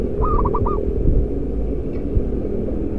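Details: Loud-voiced local zebra dove kept as a decoy: one brief phrase of four rapid clipped coos, the first note drawn out, then quiet under a heavy low-pitched background hum.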